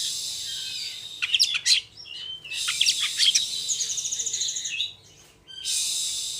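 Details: Oriental magpie-robin singing a rapid rolling song meant to spur other magpie-robins into singing: sharp high notes, a quick rattling trill of repeated high elements, and stretches of loud broadband hiss.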